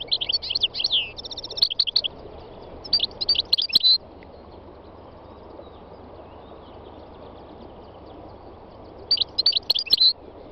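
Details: Three-year-old North African goldfinch singing on a spring day in the northwest mountains of Tunisia: bursts of rapid, liquid twittering notes around the first four seconds, a long quiet pause, then another brief twittering phrase near the end, other wild birds nearby.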